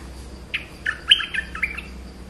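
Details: A Streak-eared bulbul gives a lively burst of about seven liquid, slurred notes, rising then falling in quick succession, over faint background hum.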